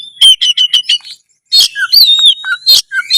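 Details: Loud Oriental magpie-robin (kacer) song meant to stir breeding drive and fight mode; a quick string of repeated piping whistles, a brief pause, then rasping notes mixed with sliding whistles.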